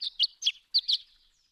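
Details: Violet-green Swallow dawn song, sung before first light, around 2 a.m., by a bird flying in big circles high overhead against the stars and singing continuously: a quick run of high, thin chirps and twitters, about five notes in a second and a half.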